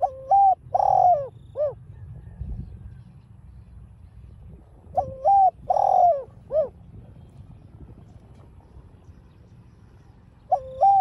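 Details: Spotted dove, also called cu đất, giving a 'đồng pha' style provoking call. Phrases of soft hooting coos repeat about every five seconds, each ending in a short downward note. A low background hum runs throughout.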